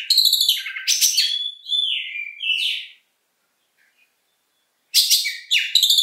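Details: Oriental magpie-robin singing its long-shooting song: loud varied phrases of sweeping whistles and harsh buzzy notes high in pitch for three seconds, a pause of two seconds, then another rich burst of rapid notes.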